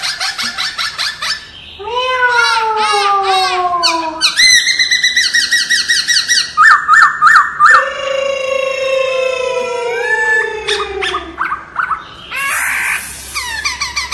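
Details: Varied forest-style laughingthrush song for voice training, with long descending slurred whistles, fast repeated chirps and squeaky bursts, some phrases sliding from high to low pitch.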